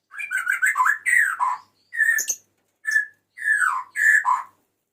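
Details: Male white-rumped shama calling to a female, singing bursts of loud slurred whistles that dip and rise, each phrase separated by brief pauses, with sharp clicking notes mixed in.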